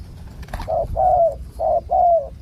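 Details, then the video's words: A Spotted Dove gives four low, hollow coos in two quick pairs, each note slightly falling, over a faint rural background. "นกป่าเสียงคูใหญ่ๆ แต่ไม่รูกี่กุก"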